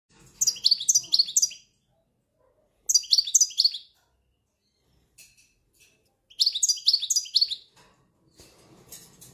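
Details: European goldfinch song linked to silvestrismo: three bursts of fast, tinkling twitters, each about a second long and built from quick, high, downward-slurred notes. Short gaps separate the bursts, and faint scattered ticks fall between them.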